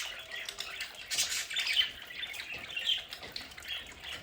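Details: Pet budgerigars at home give quieter, continuous warbled chatter with a few sharper squeaks standing out, over a faint steady background hiss.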